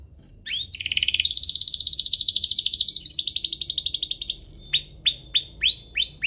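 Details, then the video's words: Canary song from a set used to start young canaries singing: a long, even, rapid buzzing trill, then a handful of sharp downslurred chips repeated about twice a second. "Kompilasi DUO GACOR, cocok untuk pancingan kenari biar gacor, masteran kenari paud"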